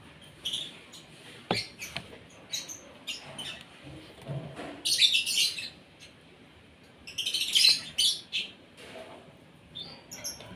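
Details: Asian pied starling at morning breakfast time, fed to make it sing a lot. Scattered sharp chirps, then two loud bursts of rasping, chattering high notes about two and a half seconds apart, with quieter clicks in between.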